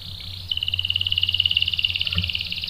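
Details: Canary singing, a recording used as bait to make a male answer: a steady high trill pulsing about ten times a second, with faint low hum beneath.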